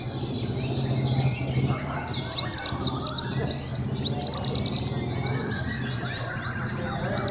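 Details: Young white-rumped shama in Indonesia giving short high trilled phrases and scattered chirps against a constant low droning hum.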